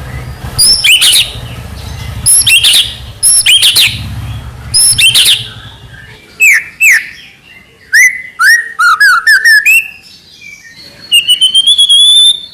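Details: White-rumped shama, young spotted bird, in energetic song: repeated groups of high sharp chips, then varied whistled upslurs and twittering runs, ending in a rapid high trill-like string of notes. A low hum is present early on.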